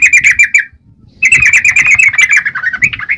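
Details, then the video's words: Yellow-vented bulbul, called trucukan, in busy "gacor" singing: a quick burst of liquid chattering notes, a half-second break, then a longer run of bubbly, slightly falling notes. "Burung trucukan gacor..!!"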